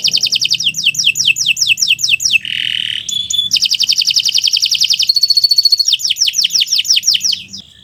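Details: Canary in a long song bout, recorded to tutor birds: rapid falling chips, a harsh lower buzz, a thin pure whistle, a fast rolling trill and more quick descending notes, all high and varied.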